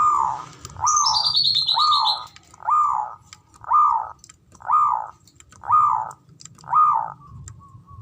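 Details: Male zebra dove giving its ngoar manggung call, used to stir mating arousal and excitement: a string of arched, rising-then-falling hoarse notes repeated about once per second, with a brief high whistle from another bird early on.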